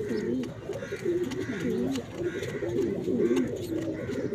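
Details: Mother pigeon with chicks giving soft, low, rolling coos, repeated in throaty bursts in an indoor space.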